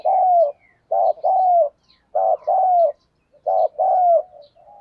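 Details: Spotted dove used as a decoy to draw in wild birds, singing in the 'thổ' style: three loud phrases about a second apart, each a clipped double note then a drawn-out, gently falling coo.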